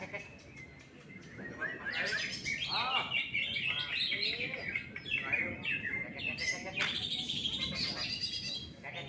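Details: Greater green leafbird singing at a songbird contest where it won first place: dense, fast, varied chirps and whistled phrases mostly high-pitched, several repeated notes per second, with background murmur of people.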